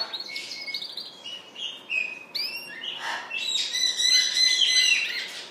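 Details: A young Spanish Timbrado canary (Serinus canaria) in a bird shop on 31 December 2013 sings a bright, varied song of high whistles, chirps and trilled phrases, with other small birds chattering in the background.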